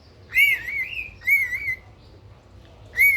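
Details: Cockatiel kept as a pet bird, giving three clear whistled calls, the first a long wavering note that dips and levels off, then a shorter double note and a final rising-falling whistle.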